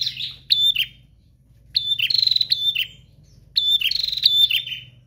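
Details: Prinia singing persistently: three bursts of scratchy, buzzing high chirps with rapid trills, about every one and a half to two seconds, over a steady low hum.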